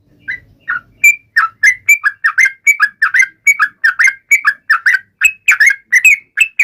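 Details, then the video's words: Yellow-vented bulbul song aimed at rivals, a steady string of short mellow whistled notes alternating high and low, about three per second, with faint low rustling at the start. "trucukan gacor MENGEJEK LAWAN"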